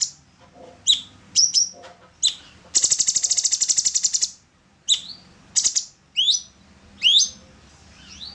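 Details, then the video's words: Orange-bellied leafbird song for tutoring songbirds: sharp rising whistled notes and chips, broken by a long rapid harsh rattling trill of more than a second, then further upswept whistles. "Pancingan burung Cucak cungkok / orange-bellied leafbird"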